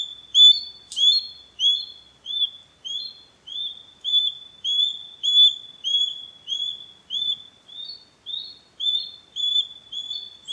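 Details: Repeated shrill whistled calls of a wild Osprey (Pandion haliaetus), each note a short upslurred 'kyew' delivered steadily about twice per second for over ten seconds, with a single sharp click near the start and no background noise.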